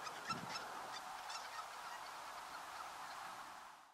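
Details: A flock of Greater white-fronted geese (Anser a. albifrons) at Uitkerkse Polder, Belgium, in January 2016, gives a steady chorus of high, yelping honks blending into a continuous clamour, with one lower honk near the start.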